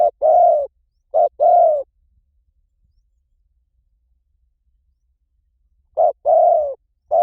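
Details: Spotted dove call used to attract wild doves. A short and a long coo open the passage, silence follows for several seconds, then the paired mellow cooing returns near the end.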